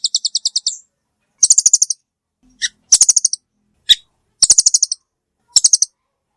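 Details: Velvet-fronted nuthatch repeating fast rattling trills of high, sharp chips, each burst of five to seven notes lasting under a second, separated by short pauses with single loud chips between. Nothing else is audible.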